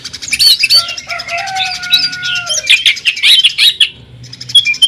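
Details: Greater green leafbird (cucak ijo) in jamtrok tembakan song, said to sound like a sewing machine: rapid high chirps and twittering, with two long steady lower whistled tones running beneath, then a brief pause and more chirps.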